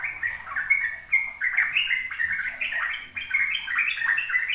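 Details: Lure song of a sooty-headed bulbul in ropel style for young birds: a flowing sequence of mellow whistles and quick chirps that steps up and down, dipping briefly before speeding up again.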